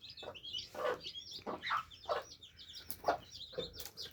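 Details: Chicks gathered to drink, steady high-pitched peeping from many birds, quieter, with soft repeated taps roughly every half second.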